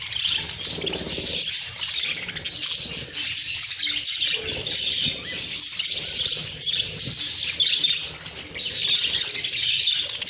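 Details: Caged budgies reacting to fresh corn: sustained, lively high-pitched chattering and chirping from many birds, with a brief quieter moment near the end before the chorus resumes.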